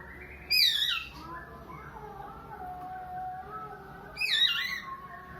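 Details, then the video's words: Oriental magpie-robin with a sound likened to a sobbing child: two strained, descending wails with layered overtones, about three and a half seconds apart, and softer wavering tones lingering in between. "burung Kacer nangis tersedu"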